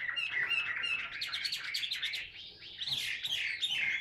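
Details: Caged Chinese hwamei singing while held in the hand, in fighting display with spread tail: dense, continuous warbling of varied whistled notes and quick slurs, loud throughout with barely a pause.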